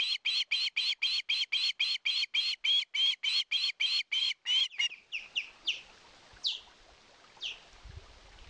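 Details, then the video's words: Fish-begging osprey at a live-camera nest in Satakunta, Finland, 2022: a rapid train of bright, high chirps, three or four a second, then a few scattered rising notes fading into quiet hiss. "GIVE ME FISH."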